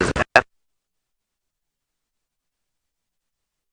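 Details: Three short scratchy bursts in the first half second of a sunrise safari drive, then complete silence with no animal sounds.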